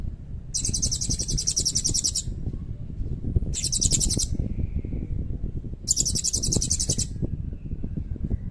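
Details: Three shrill, rapid buzzy trills from a Blue-crowned hanging parrot singing with long cililin fills, each one to two seconds long, heard over strong low rumbling noise.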